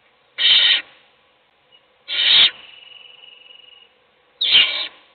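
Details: Owl chick in a nest box fed by an adult while siblings sleep; three loud, harsh hiss bursts, the second trailing into a thin, steady whistled tone lasting over a second.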